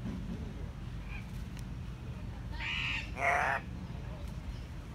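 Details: Captive Andean cock-of-the-rock at the San Diego Zoo giving a bizarre, puppet-like voice: two loud, harsh, raspy squawks in quick succession, the second louder. Low zoo hum fills the background, with faint human voices.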